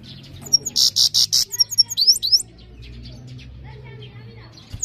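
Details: Loud European goldfinch singing a quick run of harsh, buzzy high notes followed by liquid twittered slurs, then near silence with a low background hum.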